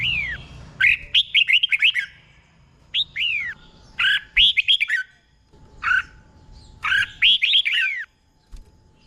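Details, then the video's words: Red-whiskered bulbul tutor song for caged birds: brisk bursts of bright looping whistles, four or five notes per phrase, ending with down-curving slurs, with clear pauses between phrases. "เสียงนกกรงหัวจุก | สุดยอดนกครู เบิ้ลชัดๆ เบิ้ลเป็นคู่ๆ"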